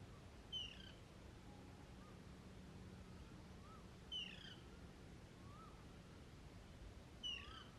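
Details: Hungry female Alexandrine parakeet demanding food nonstop from a male during the summer breeding season; three short, harsh, downward-slurred squawks about every three and a half seconds, with softer lower whistles from other birds and a faint low hum between.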